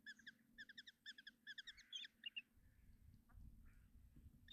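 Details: Common kestrel nestlings being fed breakfast by the female in a Hungarian nest box, 30 June 2024. Regular clustered high chips open the passage, then fade into low rumbling and muffled movement.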